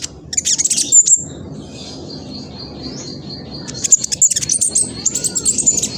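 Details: Young speckled black sunbird, East Java, Indonesia, singing a rapid, chattering lure song meant to make other males answer. Dense high twittering opens and closes the clip, with a thin sustained high whistle in between.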